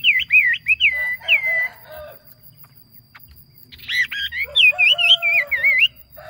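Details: Yellow phua bird kept as a decoy bird, singing well: loud whistled phrases of wavering, looping notes that rise and fall, a burst near the start and another near the end, with a quiet gap between.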